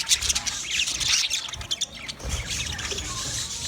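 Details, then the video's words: Green budgerigars chattering: dense, high scratchy chirps and squawks in rapid bursts, a short lull near the middle before the twittering resumes, with some low rumbling underneath. "Green Budgie sound sound of Budgie birds"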